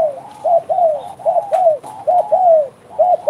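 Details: Spotted dove cooing actively in bekur style: smooth, arched coos in tight pairs and short groups, each note swelling then dropping, with brief gaps between phrases.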